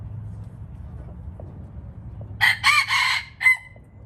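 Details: Red junglefowl crowing: after a quiet stretch of low background hum, a short harsh crow in four rapid broken segments, the last one trailing off into a thin fading note.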